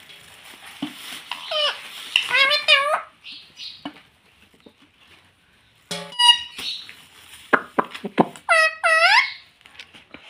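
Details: Pet rose-ringed parakeet indoors, talking and said to say "mummy papa": short, high, harmonic, speech-like phrases arrive in bursts, with a quiet pause in the middle and a few clicks.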